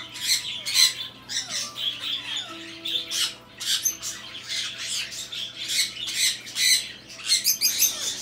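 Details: Hand-tame red-shouldered macaw, filmed in a shop, gives harsh, raspy squawks in quick bursts, several each second, over faint steady background tones and a few thin descending whistles.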